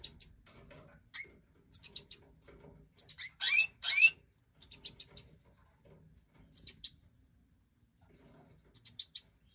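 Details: European goldfinch Major chicks, five fledglings bred in captivity in 2024, fed by the hen after leaving the nest. Clusters of three to five high sharp chirps repeat every second or two, with one buzzy rising burst midway.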